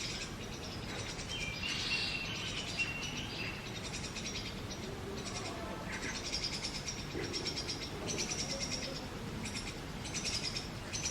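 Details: Nestling Brahminy starlings in an adopted sparrow nest box beg while being fed insects by their parents, giving rapid, rasping hiss-like bursts in a near-continuous series.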